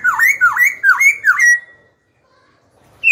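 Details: Black-throated laughingthrush singing to provoke rival birds and school young ones: four evenly spaced, looping whistled notes, each swooping down then up, about half a second apart, followed by silence and the start of another note.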